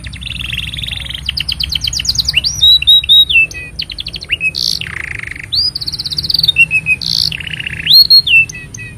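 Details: Canary's long song, meant for tutoring young canaries and stirring quiet ones to sing: buzzy rolls, fast trills, clear upslurred whistles and rattling bursts alternating, loud and continuous throughout.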